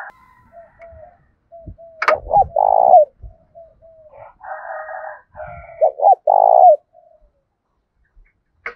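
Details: Spotted dove cooing a provoking fight call for wild and decoy doves, 'thổ' voice style: low drawn coos with stuttered starts, one sharp click and brief rustling near the start, a soft higher buzz between phrases.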